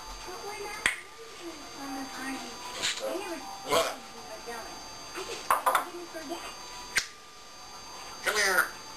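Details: A pet African grey parrot (Psittacus erithacus) talks in short, speech-like phrases broken by sharp clicks and snaps in a quiet room, as it does when its owner leaves; it also burps.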